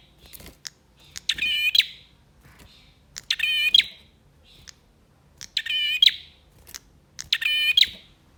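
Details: Male bar-winged prinia singing excitedly, used to rouse caged birds that have stopped singing: loud buzzy, rattling phrases with a sharp high ending, four bursts in about eight seconds, separated by short quiet gaps and faint ticks.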